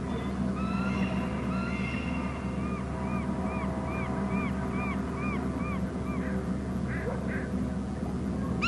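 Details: Bald eagle giving shrill calls from its babysitting tree at a Hornby Island nest territory, in March at 14:51, as another eagle arrives. A long series of arched, squealing notes repeats about twice a second over a steady low hum.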